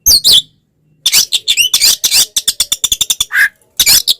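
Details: Oriental magpie-robin (kacer) fighting song, used as a lure to provoke other magpie-robins into emotion; loud, varied bursts of harsh rasping notes and whistled slurs, a rapid train of short clicking notes, brief pauses between phrases.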